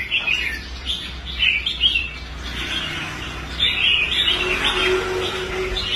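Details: Competition red-whiskered bulbul, restored after abandoning contests, performing on the show rack with bouncy whistled chirps in short clusters; a low hum and faint murmuring underneath.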